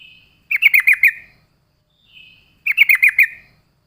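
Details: Yellow-vented bulbul song used as a lure to draw other birds: a faint rising whistle, then a bubbly burst of five or six rapid chattering notes. The whistle and burst repeat once about two seconds later.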